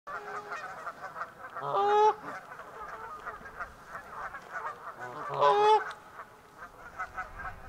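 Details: Canada geese on Pandapas Pond near Virginia Tech in Blacksburg, Virginia, at the end of winter: two loud, nasal honks about three and a half seconds apart, each a short, rising double note, over quiet, steady background murmur.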